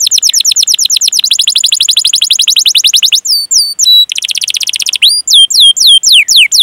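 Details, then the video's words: Canary masteran in the ngerol style: a long fast even trill of high chirps, changing pitch once, then clipped rising and falling whistles with brief gaps. "Masteran Suara Burung Kenari Gacor Panjang cuit cuit Ngerol untuk Pancingan Kenari!"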